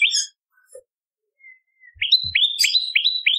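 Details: Bar-winged prinia used as a bird lure: after near silence and a faint thin whistle, a short fast run of rising high chips begins.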